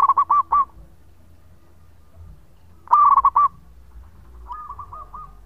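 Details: Zebra dove of local stock, recorded as a lure, gives short loud bursts of four or five quick, slightly rising coos, then a quieter answering string of similar coos near the end; steady low background hum.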